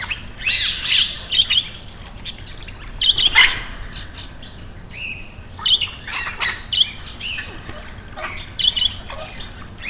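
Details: Grey parrot uttering a series of rough squawks and short scratchy calls in irregular bursts, with brief pauses between groups, against a steady faint background noise.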